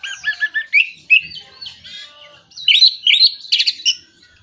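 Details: Orange-headed thrush lure song for birds that are moulting, not singing or lacking breeding condition; varied warbled phrases of looping whistles and chirps, loud bursts near the end, clean quiet background.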